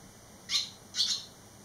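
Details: Barn swallow fledglings, three returned on the eleventh day after fledging; two bright, high, slightly buzzy chirps about half a second apart.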